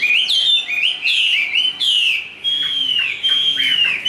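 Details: Fully tame Chinese hwamei singing its fighting song. Loud, ringing whistles rise in short repeated phrases, then stretch into longer sustained whistled notes with quick downward flicks, clean and unaccompanied.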